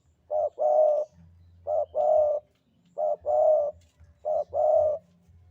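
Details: Cooing of a vocal Javan spotted dove in sandungan kuk 2 style: four phrases, each a short clipped coo leading into a longer, fuller mellow note, spaced over a second apart, with a low steady hum underneath.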